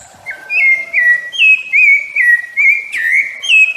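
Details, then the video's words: Rufous-bellied thrush song played to teach and warm up young and adult birds: a phrase of clear whistled notes, each a short slurred syllable, about eight in quick succession, alternating slightly higher and lower. "O MELHOR CANTO DO SABIÁ LARANJEIRA PARA ENSINAR E ESQUENTAR SEUS PÁSSAROS ADULTO OU FILHOTE DE SABIÁ"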